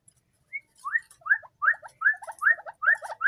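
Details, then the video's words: Tame white-breasted waterhen raised from a chick, calling at any time: rising nasal notes, each followed by a short lower double note, repeated steadily about twice a second. "burung ruak ruak jinak gacor"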